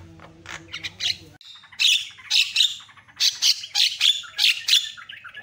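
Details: Javan myna song with varied sounds, meant to make other mynas agitated: soft chatter and a low hum at first, then a rhythmic string of loud, harsh, buzzy notes in pairs.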